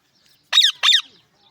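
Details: Talking Pakistani parrot letting out two quick, raspy, broadband squawks back to back, each about a fifth of a second, harsh and screechy, with near silence around them.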